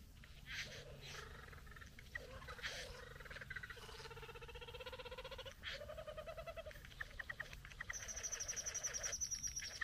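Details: Satin bowerbird courting a female at the bower: a varied sequence of wavering tonal notes, scratchy buzzes and clicks, ending in a fast high rattling trill.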